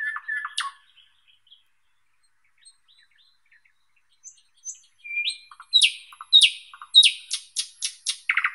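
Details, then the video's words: Thrush nightingale, Luscinia luscinia, gives a brief throaty phrase, falls quiet, then builds into loud repeated high whistles and sharp clicking strokes. "Голоса птиц Как поёт Соловей обыкновенный (Luscinia luscinia)"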